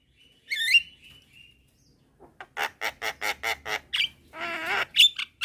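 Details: Young Javan myna calling companions at midday, others replying: a single squeaky whistle, a pause, then a quick string of harsh nasal chacks and a longer grating squawk.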